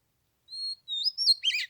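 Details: Oriental magpie-robin singing on the third day of Lunar New Year in 15-degree cold, played for an hour to draw a rival down to fight: two clear sustained whistles, a rising slurred note, then a buzzy twittering burst.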